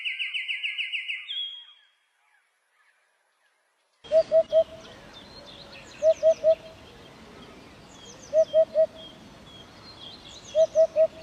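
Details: Birdsong: a steady pure whistled note with quick pulses, a pause, then repeated triplets of low clear notes every two seconds over a busy background of high twittering from other birds.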